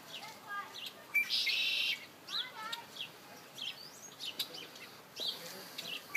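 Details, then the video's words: Several birds singing around a feeder at MK Nature Center, with a loud buzzy burst early on, quick descending chirp series, and sparse high tweets over faint background rustle. "Birds singing at MK Nature Center"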